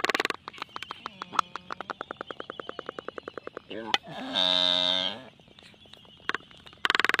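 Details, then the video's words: Black-footed albatross during its courtship dance, a pair-bonding ritual: a long run of rapid, evenly spaced bill clicks, then a drawn-out nasal moaning note lasting about a second, followed by more sharp clacks. "Courtship Dance of The Black Footed Albatross"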